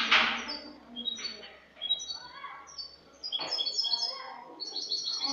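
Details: Spanish European goldfinch delivering cante limpio, clean song, from the previous year, dated 22 August 2018: a continuous stream of rapid, high, tinkling twitters and buzzy trills, broken by two brief rustling noises.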